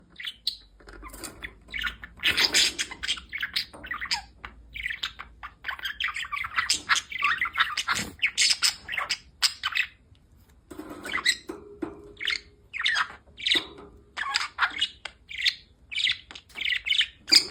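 A budgerigar chatters steadily with scratchy warbles, squeaks and brief chirps.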